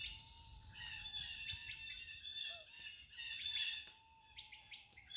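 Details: Outdoors, a bird holds a long, steady, low whistle for about two seconds, then repeats it. Quick high chirps scatter around it, and insects keep up a shrill, continuous drone.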